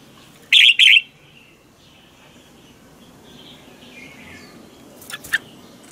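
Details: Red-whiskered bulbul in a morning training song used as a lure: two loud, clipped whistled notes at the start, quiet hissy background, then two brief faint chirps near the end.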